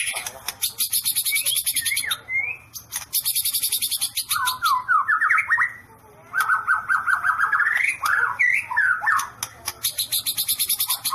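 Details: White-rumped shama 'sambaran listrik' song: very high, rapid, buzzy rattling pulses alternate with bright warbled whistles of rising and falling notes, with short pauses between phrases.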